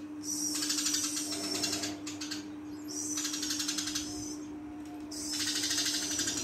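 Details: Eurasian tree sparrow, described as lively and chatty, giving three bursts of dense, rapid, harsh chirps high in pitch, separated by short pauses, over a steady low electrical hum.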